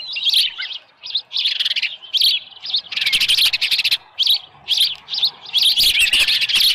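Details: Nesting osprey at Dunrovin Ranch, morning of 24 July 2018, headless fish present. Loud, high chirps in clustered bursts, with a fast rattling series around the middle and continuous calling toward the close.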